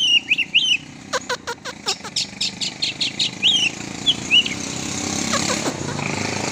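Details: Oriental magpie-robin let out for exercise; a quick run of sharp repeated chip notes mixed with short twisting whistles, against steady background rumble and passing motorcycle engine noise.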